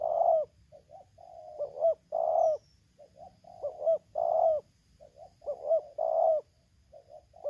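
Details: Decoy spotted dove from Lampung calling against a wild bird in 'tarik akar selang nguku' style: steady, low, mellow cooing, short lead-in notes and longer burred coos alternating in a continuous rhythmic series.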